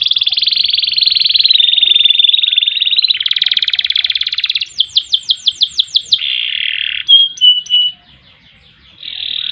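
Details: Canary singing long ngerek and ngerol phrases meant for tutoring and provoking rivals; a sustained buzzy trill, then a lower rattling trill, a run of rising-falling sweeps, short whistled notes and a final trill.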